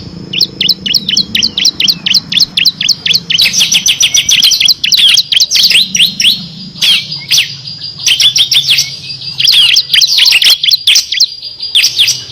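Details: Bar-winged prinia in full ngebren song with six variations, a master recording for competition songbirds; a long, steady stream of rapid, sharp, high chirps in repeated rattling runs with only brief breaks.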